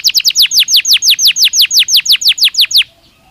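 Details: Belgian canary singing naturally, intended as training sound for other canaries: a fast, regular series of high, downward-slurred notes, about three per second, ending abruptly into quiet background hum.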